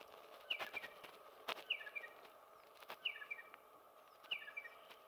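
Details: Territorial male Striated pardalote calling non-stop, repeating a short, sharp, high, bright two- to three-note phrase about every 1.3 seconds to hold territory, over faint clicks and rustling.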